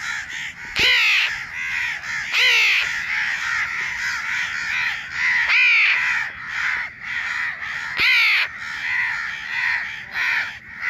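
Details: Natural calling of a baby house crow: continuous rasping caws with four sharp, louder arched calls spaced a few seconds apart.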